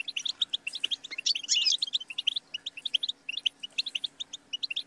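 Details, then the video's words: Continuous goldfinch twitter: even, rapid chirps with a loud jangling buzzy burst around one and a half seconds, then steady tinkling notes to the end over a faint low hum. "The Motivating Anthem of the Goldfinch Bird"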